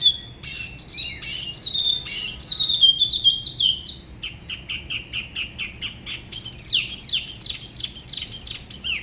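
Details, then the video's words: A Spot-throated babbler of Da Lat's La Ba river sings solo, a style said to differ from other regions: descending whistles, a stretch of short even notes, then sharp sweeping slurs. "Tiểu mi La Bá hót solo/ Spot-throated Babbler the best solo La Ba river"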